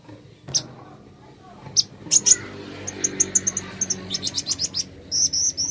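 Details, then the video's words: Plain flowerpecker, presented as therapy to get the bird singing quickly: scattered sharp, very high chirps and short ticking bursts, becoming a quicker run of clipped notes toward the end over a faint low hum. "Terapi Kolibri Ninja Cepat Buka Suara"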